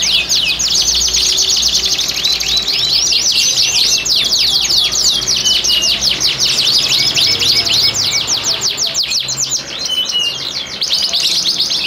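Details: Caged breeding canaries from Klaten in mating condition, song meant to stimulate females: sustained loud high trilling with fast repeated downward sweeps, brief whistled notes, and another bird chirping in the background.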